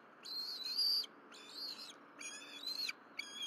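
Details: A juvenile and its parents at a Berry College bald eagle nest, morning of April 12, 2023, during fish deliveries and feeding. Four shrill, drawn-out whistles, the later ones bending upward then dropping at the end, over a faint hum.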